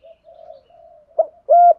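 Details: Spotted dove lure calling in the 'thổ' voice. Soft murmured notes, a brief clipped coo, then one loud level hollow coo.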